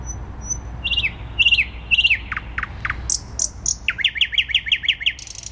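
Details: Thrush nightingale in Warsaw city centre, Poland, 12 May 2020. It delivers triplets of slurred falling notes, then single loud clicks, then a rapid series of about eight rising chirps ending in a buzzy rattle.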